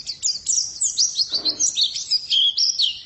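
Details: Female white-eye pouring out a rapid, high-pitched chattering warble of slurred whistles and chirps, with a short soft rustle midway through.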